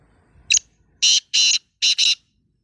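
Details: Black francolin offered for sale; a short scratchy note followed by four loud harsh grating bursts, the last two closely paired, in quiet surroundings.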